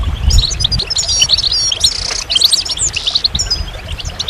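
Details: A goldfinch sings a lively, jumbled stream of bright chirps and clipped whistles, with a short buzzy rattle near the middle, over faint low-pitched noise.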